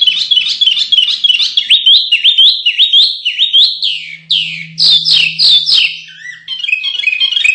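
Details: Canary singing, from contest-bird masteran audio: quick repeated warbled phrases rising and falling, a series of loud swooping notes, then a lower chattering trill, over a faint low hum.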